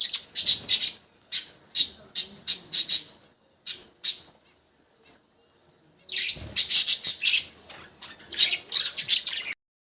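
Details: Pet budgies give a series of short, bright chirps and scratchy warbles, then go quiet for about two seconds before a dense burst of chatter resumes.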